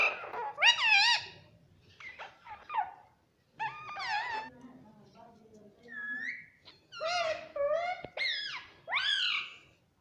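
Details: A talking pet parrot that says "mummy" utters clusters of bright, bending, voice-like syllables in a small room, the bursts separated by quiet stretches, with a faint low murmur underneath.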